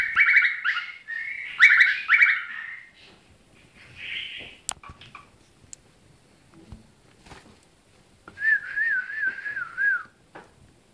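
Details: Cockatiel (Nymphicus hollandicus) saying its own name, 'Koki', chattering in bright, buzzy phrases, then giving a long warbling whistle.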